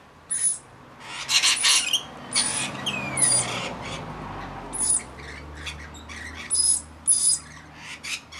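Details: Rainbow lorikeets feeding and bathing, with harsh, rasping screeches in short bursts every second or so over a low background rumble.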